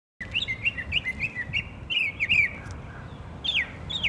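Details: Northern mockingbird singing in Savannah, Georgia, on 12 October 2024: varied phrases of chirps and slurred notes, some repeated several times in a row before switching, with a low rumble of background noise underneath.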